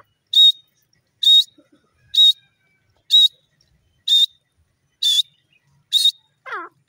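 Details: Grey francolin, known locally as pahari or dakhni teetar, calling: a sharp, shrill high note repeated steadily about once a second, seven times, followed by a brief lower slurred sound at the end.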